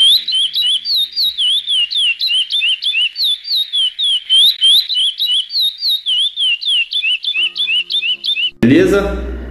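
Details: Chestnut-bellied seed finch (curió) song in the classic "praia clássico" style, played as a reference to correct a young bird's missing notes: a fast run of clear, sliding whistled notes, about three per second, ending with a thump and noise.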